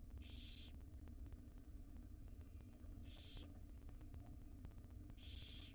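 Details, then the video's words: Begging barn owlets, five wild young fed breakfast by the mother in a nest box, give three short screechy hisses, evenly spaced about two and a half seconds apart, above a background hum. "5 baby barn owls get fed breakfast by their Mom."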